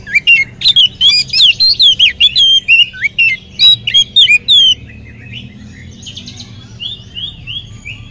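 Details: Lure song of an Oriental magpie-robin meant to get other magpie-robins singing: about four seconds of loud, varied, slurred whistles in quick succession, fading into quieter repeated chirping from distant birds.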